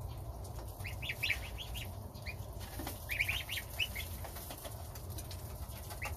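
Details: Domestic goslings at breakfast on starter ration beside their mother, with the father goose guarding outside. Bursts of quick, high, upward-sliding cheeps, two main flurries, against a constant low background hum.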